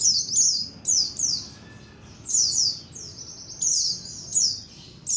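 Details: White-eyes calling as a colony, a lure recording. Sharp high descending chirps in groups every second or so, several birds overlapping, over quiet background.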